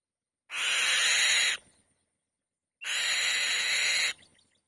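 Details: White-tailed kite, a female sitting on the nest, calls loudly twice; each call is a rough, hissing scrape of over a second that begins with a short clear whistle.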